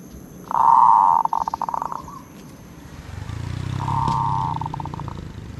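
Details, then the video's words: Zebra dove, valued for its 'od' song: one loud, rolling, burring trill ending in rapid stuttered notes, then a softer repeat over a low rumbling background noise. "นกเขาชวา ออดดีๆ เสียงดีๆ"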